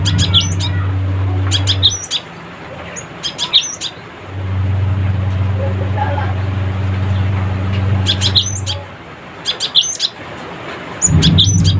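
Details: Cinereous tit calling rivals, a lively chattering 'crecetan' song: bursts of high, sharp chirps and short rising whistles, clustered near the start, middle and end, over a loud steady low machine hum that drops out briefly.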